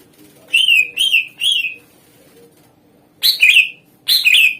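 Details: Greater green leafbird singing as a lure for other songbirds: three clear slurred whistles in quick succession, a pause, then two louder harsh two-part phrases combining a buzzy sweep with a whistled note.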